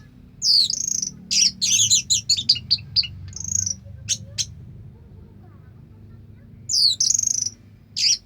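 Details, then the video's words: Orange-headed thrush singing 'sampai teler': rapid runs of very high, twittering, buzzy notes in close bursts, falling silent midway before resuming with scratchy high phrases; quiet low rumble beneath. "suara kicauan burung anis merah sampai teler"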